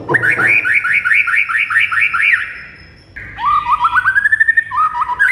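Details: Rapid run of repeated upslurred whistled notes from a white-rumped shama in a master recording, then a pause and a rising series of short whistles, used to draw responses from other birds.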